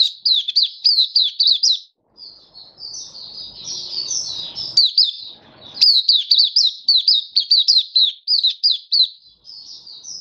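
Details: Oriental white-eye song from a kept bird: fast runs of high twittering notes, a softer warbled middle passage, then renewed brisk chirping sequences.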